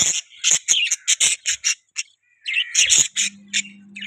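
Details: Budgerigar giving a quick string of sharp, buzzy chirps about five per second, a short pause, then more scratchy notes and a brief warble, with a low hum entering late.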